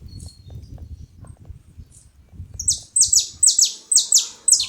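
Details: Saffron finch making noise at a feeding spot: after near silence, a fast run of about eight sharp, high, descending chipped notes begins partway through, with faint low rumble beneath.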